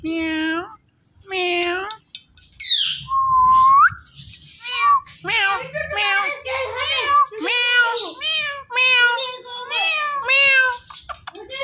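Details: Talking Indian ringneck parakeet repeating "Mitthu": two harsh syllables, a squeal and a rising whistle, then a long rapid stream of short nasal, voice-like chattering syllables rising and dipping in pitch.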